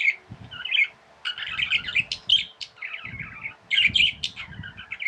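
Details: Pet budgerigars, tame birds, give rapid chattering warbles of scratchy, squeaky notes in bursts separated by short gaps, with soft low knocks and a constant faint electrical hum underneath.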